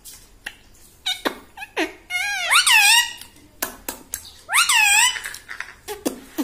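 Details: Indoor talking parrot, described as speaking like a person, uttering rich, strained, voice-like syllables that swoop up and down, with two long drawn calls among short sharp clicks and squeaks in a quiet room.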